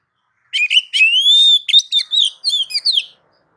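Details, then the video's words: Oriental magpie-robin song played as a tutor to get other birds answering: warbled opening, a long rising-then-level whistle, then a string of short twittering notes about every quarter second. "Dijamin langsung nyaut kalau dengar suara masteran Kacer satu ini"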